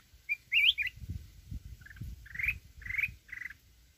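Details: Wild-voiced song of a mountain red-whiskered bulbul, meant to provoke rival birds: a quick twisting warble, then several short, slightly buzzy chirps at even spacing, against low-pitched background noise.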